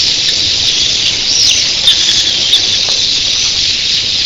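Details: Thousands of red-billed queleas in the early morning, steady shrill chattering din with a few brief sliding whistles and occasional ticks.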